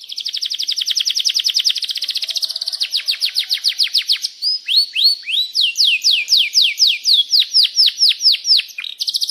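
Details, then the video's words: Canary singing a long rolling song, used to prompt other canaries. It opens with a fast, rattling high trill, then slows into a series of clear, sharply falling whistles. "Masteran Suara Burung Kenari Gacor Panjang cuit cuit Ngeroll untuk Pancingan Kenari"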